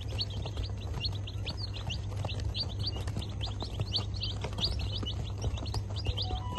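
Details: Many fancy chicks peeping together, a dense stream of short, high chirps repeating rapidly and overlapping throughout, over a steady low hum in the background.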